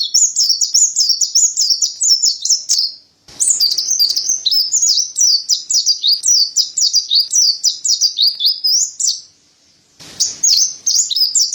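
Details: Mountain white-eye (white-breasted white-eye, Montanus) singing long, lively phrases of piercing high twitters and zigzag whistled notes. Two short silences divide the song into three bursts, each packed with rapid, varied chirps.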